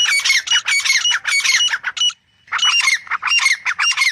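Grey francolin giving loud, harsh, ringing calls in rapid bursts. A brief pause falls midway before the calling resumes.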